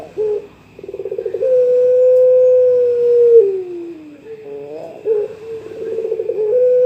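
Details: Rival-calling coo of a young pelung Barbary dove: a short trill leads into a long level note that sinks gradually, followed by brief broken notes and another steady tone.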